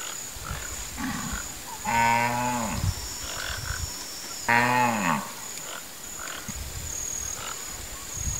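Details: Wood stork, a fishing bird of the Brazilian Pantanal: two deep, nasal, mooing calls about two and a half seconds apart, each just under a second long. Faint calls and a constant shrill insect drone fill the background.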